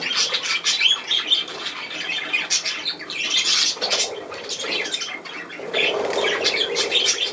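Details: Indoor pet budgerigars at play produce long stretches of grating chatter and harsh squawks, with brief wing-flapping sounds among the calls.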